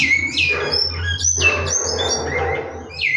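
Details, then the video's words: Large-billed seed finch singing at a bird-breeding facility: clear whistled notes sliding downward between high and mid pitch, several phrases in quick succession over a low steady hum. "bicudo cantando"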